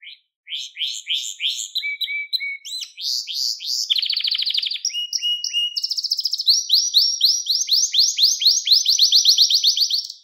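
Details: Singing canary, recorded as a lesson for young canaries: rising chirps, low whistles, a loud dense buzzy trill, then long sequences of quick upslurred sweeps repeated four times a second.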